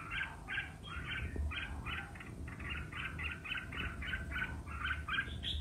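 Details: Red-whiskered bulbul in competitive singing, a long run of short bright warbled phrases repeated about three per second, with a steady low hum underneath.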